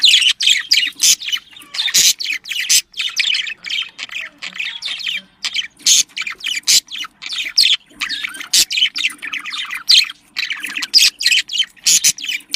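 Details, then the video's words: Flock of pet budgerigars, a bird said to live in flocks, calling to stimulate mating; dense, nonstop bursts of chirps, squeaks and squawks in rapid succession, over a faint low hum. "muhabbet kuşu kızıştırma sesi muhabbet kuşu sesi muhabbet kuşu çiftleştirme sesi صوت تزاوج طيور الحب"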